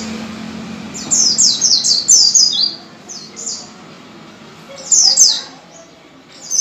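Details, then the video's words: High, thin white-eye song used to coax caged birds into singing: a rapid run of descending sweeping notes, a short phrase, then another brief burst after a pause, over faint low background noise. "PANCINGAN PLECI ngalas full power dengan cepat membuat pleci buka paruh."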